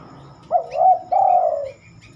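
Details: Spotted dove heard at night, when it seldom sings: one mellow, low coo phrase, a looping wavering note then a sustained downward-sliding purr, over a steady low background hiss.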